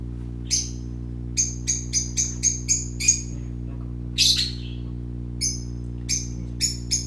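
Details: Baby parakeets playing: a crisp run of six or seven evenly spaced high chirps, then a rasping squawk and a few more scattered chirps, over a low background hum.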